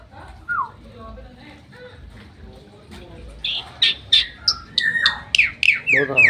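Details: Bali myna on its owner's hand in Bali, 2023: after a quiet start with one low slur, loud rapid squeaks and harsh whistled notes follow in quick succession.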